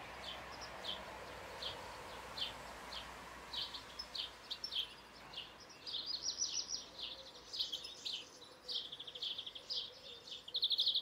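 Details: European goldfinch song: spaced high chips at first, then quickening into a dense, tinkling twitter of buzzy and liquid notes, over mild background noise.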